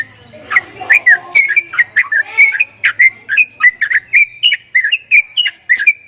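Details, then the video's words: Javan myna with strange calls: a rapid chain of short whistled notes joined by clicks, around three per second, staying near one pitch with small rises and dips, faint low rumble at the start. "JALAK KEBO BEESUARA ANEH"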